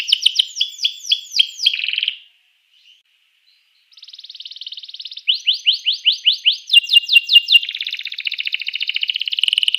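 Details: Canary song intended to stimulate rival canaries to sing: quick repeated chirps, a short silence, then a soft trill building into fast sweeping notes and a dense buzzy trill.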